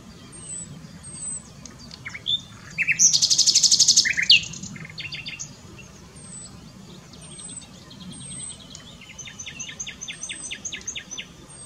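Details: Common nightingale singing at Dohr in the Eifel, Germany: varied rich phrases, a loud harsh rattling burst, then fast runs of repeated clicking notes, with thin high whistles from another bird behind.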